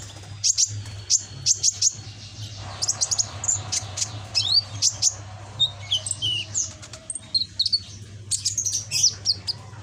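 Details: Red-backed green sunbird, a young captive bird practising song phrases, delivers clusters of very high, quick tweets and short twittering bursts with brief pauses, while a constant low hum runs underneath.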